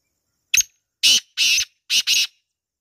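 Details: A black francolin gives a loud rasping call: a brief opening note, then two longer harsh bursts and a closing pair of grating notes, with silence around them.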